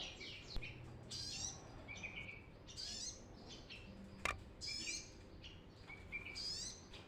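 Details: Brown-throated sunbird in full song, recorded for use as a lure: short, high, sweeping chirpy phrases repeated at irregular intervals of about a second, with a lower trilled note at the end of some phrases.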